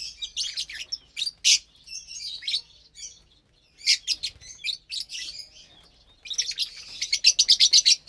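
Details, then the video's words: Lovebirds at their Saturday morning meal, April 30th, 2022, of fresh greens and seeds: shrill chirps and twitters in uneven bursts, ending with a rapid, pulsing series of sharp high notes. "Lovebirds Meal Time"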